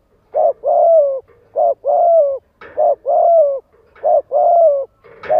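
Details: Spotted dove coo used to make decoy males answer: steady, low, mellow phrases, each a short note followed by a longer gently falling coo, repeated about four times in a regular rhythm.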